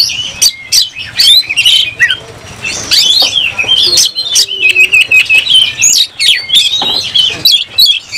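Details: Fighting oriental magpie-robin with open tail, singing a lively medley of sharp chips and sweet whistles. A steady, level whistled stretch runs through the middle, and a few soft fluttering sounds are also heard.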